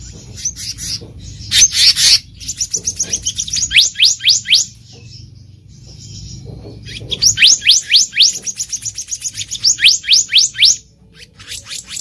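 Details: Wild black-naped monarch, recorded for luring: quick runs of sharp upward-sweeping whistled notes, about four per second, broken by a pause and a few harsh scratchy notes.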